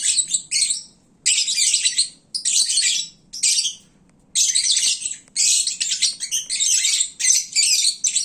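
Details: Sleepy, well-fed lovebirds at midday making a racket: bursts of shrill, harsh twittering about a second long, separated by short silences, growing denser and more continuous toward the end.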